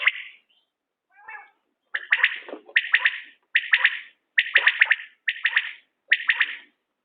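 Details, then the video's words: A series of sharp, rhythmic three-pulse calls from a common quail, linked to quail hunting, spaced under a second apart after a brief softer opening note. "بٹیر کی عمدہ بولیاں"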